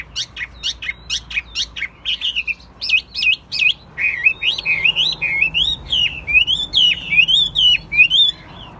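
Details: Chinese hwamei kept as a singing and fighting bird opens with sharp rising chips, then flows into varied looping whistles repeated more than once a second.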